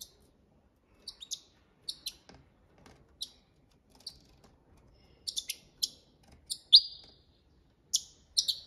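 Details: Copia Malaga training song of a European goldfinch: scattered sharp ticks and brief chirps that grow busier and end in a louder buzzy slurred note.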